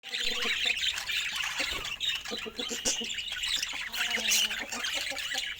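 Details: Budgerigars chattering together, a dense stream of scratchy chirps and squawks packed into the upper range, with a few lower tonal notes near the middle.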